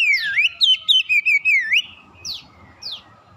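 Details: Magpie-robin song played to provoke other birds into singing; a loud, wavering whistled phrase of rapid pulsed notes rising and falling, then two short descending sweeps over a faint background hiss.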